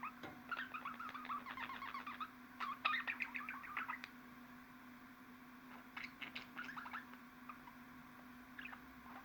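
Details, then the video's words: Budgerigar giving fast, repeated chirping notes in rapid trills, followed by a short pause and another burst of sharp chirps, over a steady low hum. "MUHABBET KUŞUNUZ ÇILDIRACAK,MUHABBET KUŞU SESİ"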